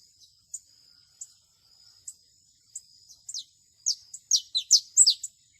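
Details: Canary in nature: sparse high chirps spaced about a second apart, building into a quicker run of louder, sharp descending whistled notes near the end.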